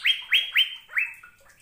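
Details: Asian fairy-bluebird singing energetically: four bright, sharply rising whistled notes, each levelling off, come in quick succession about a quarter second apart, then a fainter trailing note as the phrase fades.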